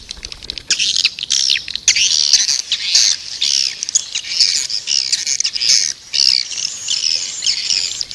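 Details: Continuous high, scratchy swiftlet twittering with rising and falling bursts of shrill chirps and hardly any pause.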